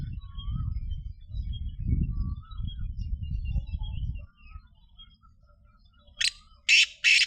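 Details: Black francolin giving three harsh, rasping notes near the end, spaced about half a second apart. Steady low rumbling noise dominates beforehand, with faint thin chirps of other birds.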